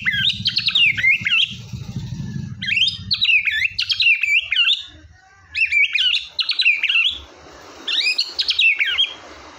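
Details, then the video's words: White-rumped shama song used to get a quiet shama singing: rich, fast, varied warbled phrases in bursts separated by short pauses, with a low rumbling hum under the first few seconds. "MURAI BATU GACOR!!! ampuh buat burung murai batu males bunyi"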